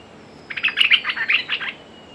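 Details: Decoy red-whiskered bulbul calling to draw out a territorial wild bird: a rapid run of sweet, chirping notes just over a second long, slightly softer, over a steady background hiss and a faint high whine.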